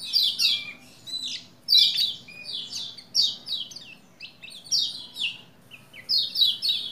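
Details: High, sharp white-eye phrases from a Lombok bird, used to stir a male to sing, come in short falling bursts about once a second, with brief gaps between them.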